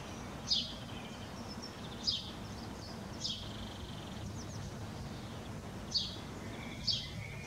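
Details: A house sparrow perched on a neighbour's roof keeps up its chatter, with sharp single chirps at uneven intervals of one to three seconds over a low background hum.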